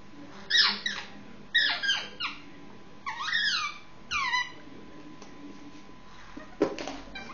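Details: Indian ringneck parakeet aged six months, noisy before sleep: a run of four rising harsh squawks about one per second, then a pause and a sharp click-like burst near the end, indoors.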